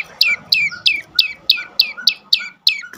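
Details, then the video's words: Prenjak lumut prinia song used as a lure for mute birds: bright, down-sweeping chirps spaced about a third of a second apart, each trailed by a soft lower note. "prenjak lumut lain makin tergoda berbunyi"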